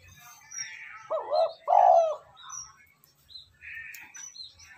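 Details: Spotted dove lure call, a short coo followed by a longer rolling hoarse coo, with small birds chirping faintly in the background.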